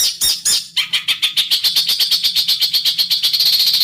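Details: Bird master song for training, in a harsh rasping besetan style: a rapid train of buzzy, scratchy notes around four per second, starting uneven and settling into a steady, dense run of high chattering bursts.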